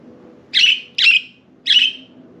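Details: Budgerigars out of their cage on indoor window blinds; three loud raspy chirps, the first two close together and the third after a short pause, each trailing off, over low room hum.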